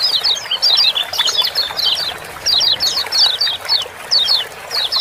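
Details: Kecial kuning (Lemon-bellied white-eye) ciak-ciak calls meant to spur reluctant birds to sing. Shrill chirps delivered in short rattling clusters, roughly one burst every half second, with thin chatter filling the pauses.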